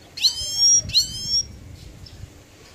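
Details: Goldfinch giving two bright, rising, whistled notes in quick succession, each sweeping upward with overtones, followed by near quiet.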